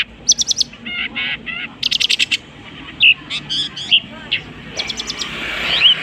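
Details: Long-tailed shrike imitating various birds: scattered buzzy bursts, a quick rattling series, and a few thin whistles, with a background hiss rising toward the end.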